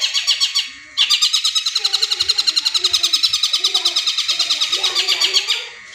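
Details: Cendet bursts mimicking the tengkek buto, meant to spark singing in caged birds: a long, fast machine-gun trill of high notes lasting several seconds, with faint low chatter underneath.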